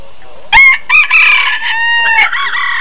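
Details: Loud crow of a rooster: sharp harsh opening syllables, then a drawn-out tonal note and a final rising-falling phrase, against a quiet background.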